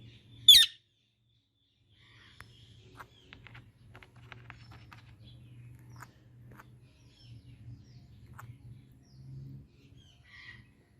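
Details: Indian ringneck parakeet giving one loud, harsh, broadband screech near the start, followed by quiet low rumbling and faint clicks for the rest of the recording.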